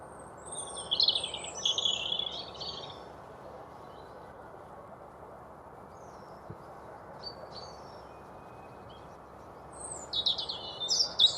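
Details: Male European robin singing to hold his territory on the 5 Pits Trail, Chesterfield, Derbyshire, UK: high, thin, warbling phrases trickling up and down, with long pauses, over a steady low hiss.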